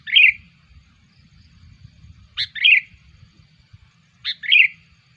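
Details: Sooty-headed bulbul calling as a lure for wild bulbuls: three paired calls about two seconds apart, each a sharp click followed by a bubbly, burred note.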